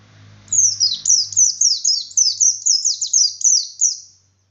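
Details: Gacor white-eye in full ngalas song, beak wide open, used to provoke other white-eyes into answering: a fast run of high, thin, downward-sweeping chirps, about thirteen in under four seconds, with a faint low hum beneath.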